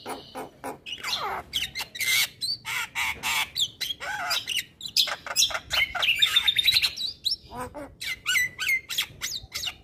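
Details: Male Javan myna, white-eyed, singing to stir lazy birds into song: a dense run of harsh squawks, rasping bursts and whistled rising and falling notes, packed closely with short gaps.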